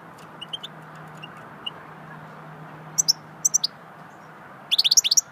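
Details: Goldfinch in swittey song: scattered soft high chips, then paired sharp twittered notes, closing with a fast run of bright, rising-and-falling tinkling notes, with a faint low hum underneath.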